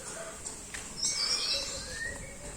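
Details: A young captive White-rumped Shama, just out of juvenile plumage and starting to sing in a fighting mood, gives brief, thin whistles and a sharp, buzzy burst over a steady background hiss.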